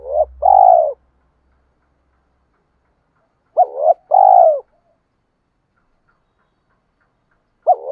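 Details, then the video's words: Lure cooing of a spotted dove, meant to stir males into fighting. Two-part coos: a brief upswept note and a broken warble, then a longer drawn-out coo. Phrases come about three seconds apart, with a faint low rumble at the start. "chim cu moi thuc dau va gay goi"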